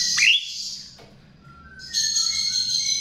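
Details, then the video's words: Chestnut-tailed starling song used as a lure: a sharp descending squeak and a brief high note, a near-silent pause, then a steady high hissing whistle with faint lower tones. "Pancingan Jalak RIO RIO"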